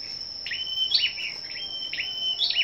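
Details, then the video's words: Scarlet-backed flowerpeckers in a morning singing match, 10 May: two high phrases each made of a quick chirp followed by a drawn-out level tone, separated by about a second and a half, with a constant high whine. "Sâu Đầu Đỏ Hổ Tập Hợp Giao Lưu Những Chú Chim Sâu Đầu Đỏ Siêng Hót Đấu"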